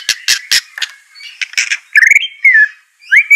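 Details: White-rumped shama song meant to rouse a reluctant bird into singing: a few harsh, squawky bursts, then clear whistled notes that rise and fall, some sharply slurred upward near the end.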